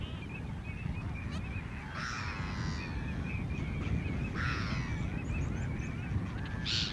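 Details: Eurasian teal calling at Lac d'Orient, France, in November 2022, with a string of short, high whistled notes and a couple of rougher, nasal bursts, over a steady low rumble of wind or water.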